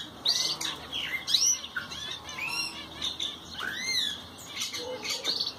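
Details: Song of the Ocellated thrasher: varied phrases of downslurred and upslurred whistles, short trills and harsh notes, given in irregular bursts with brief pauses between them.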